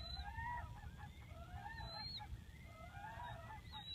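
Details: Wild whooping cranes at Aransas National Wildlife Refuge, Texas: overlapping hoarse, honking calls with rising and falling tones, several in a row, over a steady low rumble and faint high chirps from another bird.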